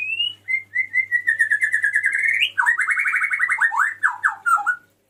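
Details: Male White-rumped shama calling the female: a long sustained whistle with a steady pitch, rising at its end, then a fast rolling series of lower warbled notes, clear and loud, with a faint hum early on.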